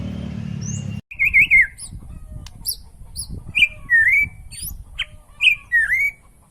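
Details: White-rumped shama song used to provoke other shamas into singing: loud whistled phrases near mid-high pitch, some with sharp upslurred notes above, separated by short pauses, over a faint low background rumble.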